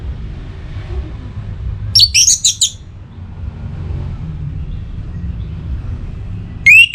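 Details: Orange-headed thrush singing to call a rival while in breeding condition: a short burst of very high, quick twittering notes, a long quiet stretch of low hum, then a brief rising note at the end.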